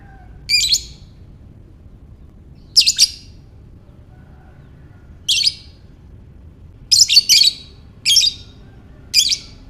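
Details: Lovebird calling to coax ngekek chatter: seven shrill, rasping squawks at irregular intervals, some single and some in doubled or tripled bursts, grouped closer together toward the end.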